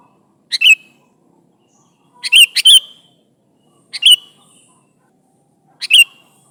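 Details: Sooty-headed bulbul calling to companions with short, sharp bubbly chirps, mostly single or paired notes, repeated roughly every one and a half seconds in quiet surroundings.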